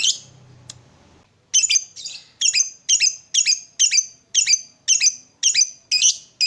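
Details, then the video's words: Lovebird morning training sound meant to make other lovebirds chatter: after a brief low murmur, loud harsh squeaky notes repeat roughly twice a second in a steady series. "SUARA PEMACU Ini Bikin Love Bird Ngeroll & Ngekek Ganas!"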